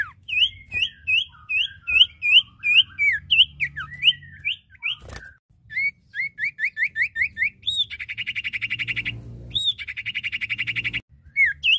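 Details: Common iora, male and female, singing energetically: long chains of rapid curled whistled notes, a short break, then repeated buzzy trills broken by sharp clear notes.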